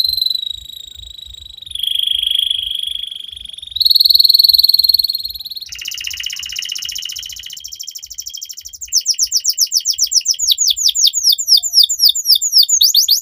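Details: Canary singing at length as a tutor for young canaries: a chain of sustained rolling trills at changing pitches, then a faster pulsed section, ending in rapid, repeated, bright downward-slurred whistled notes.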